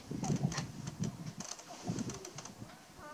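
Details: Displaying male sharp-tailed grouse on a Nebraska lek near Burwell, late March 2018, giving rapid low hooting and clucking bursts in quick clusters, with faint clicking sounds and a brief higher whistle at the end.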